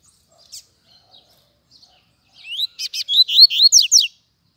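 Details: Rusty-collared seedeater singing: after a near-silent start, a burst of about ten loud, high, sharply rising and falling whistled notes in quick succession.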